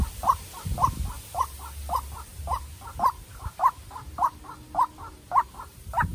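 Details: Decoy White-breasted Waterhen, young, meeting a wild rival: a rapid series of raspy notes, loud and soft alternating, roughly twice per second, with a brief low thump early on.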